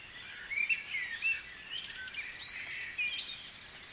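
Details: Guisborough dawn chorus with overlapping birdsong: short sharp whistled notes and chirps scattered through high, busy twittering, the loudest notes coming early, against faint steady background noise.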